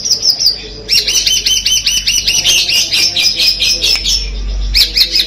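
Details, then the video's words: Long-tailed shrike of the Peterpan type from Madura, singing Armagedon material: a fast run of clipped, down-slurred high chirps, quickening into a chattering sequence, with a faint low hum beneath. "CENDET MADURA PETERPAN DENGAN MATERI FULL ARMAGEDON"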